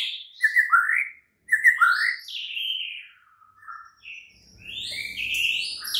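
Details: Night-time White-rumped shama lure song for a caged bird: paired slurred whistles, then a falling series of softer notes, and bright high whistles at the end over faint low noise.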